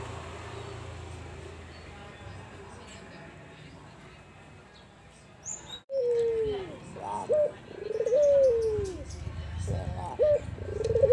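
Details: Several seconds of murky background noise, then an albino Barbary dove joins in with soft, mellow coos in the kuwor besar style. The long drawn-out notes are broken by short hiccuping syllables.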